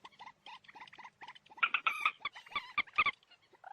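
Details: Moorhen giving a run of short, clucking notes in quick succession, each harmonically rich, with a louder burst of sharper calls midway through.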